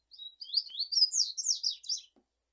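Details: Double-collared seedeater singing a continuous fast phrase of high, sliding, twittering notes, starting soft with a thin whistle and growing louder and busier before stopping abruptly.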